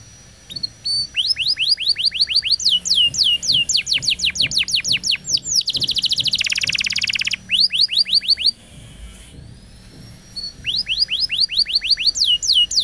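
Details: Canary singing in a training recording for other canaries: long runs of fast descending whistled syllables, a harsh buzzy trill in the middle, a brief rising whistle, then the rapid runs resume.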